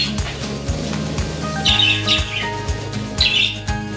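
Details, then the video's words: Budgerigars in their bird room in the morning, being let out of the cage, give two short bursts of bright, scratchy chirps over steady background music. "Wellensittich zwitschern"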